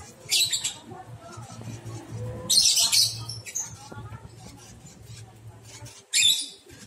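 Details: Lovebird chick about a month old, starting to dare leave the nest box. Harsh, grating screeches come in short bursts: one early, a longer rasping one mid-clip, another near the end, against a steady low hum.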